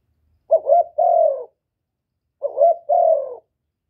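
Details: Spotted dove calling to provoke rival birds, Cà Mau, Vietnam: two identical low phrases about two seconds apart, each a quick broken double note running into a long, gently falling, hollow coo.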